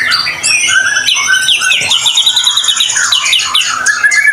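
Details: A white-rumped shama pours out dense, fast, high-pitched song, a lure for other shamas to begin singing. Quick whistles, swoops and chatter overlap with barely a pause.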